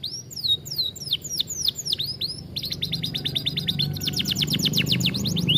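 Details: Atlantic canary singing, meant as a model song for other canaries: sweeping downslurred whistles, then fast even trills of repeated clipped notes, rising in loudness, with some low background hum.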